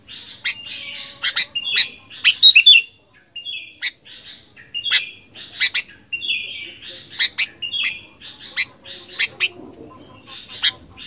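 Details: Clean, quiet recording of a sooty-headed bulbul in chatty fighter song: scattered sharp chirps and short whistled phrases, with a brief silent gap early on.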